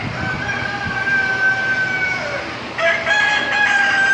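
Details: Chickens at the Wilson County Fair in Tennessee: a rooster gives a long, drawn-out crow lasting over two seconds, followed by another crow, over a steady busy background of crowd noise and other fowl.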